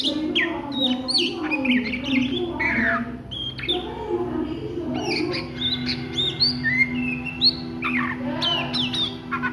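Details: Oriental magpie-robin ngriwik song at midday: a run of varied whistles, buzzy chatter and upslurred notes, rich and unbroken, over a steady low tonal hum.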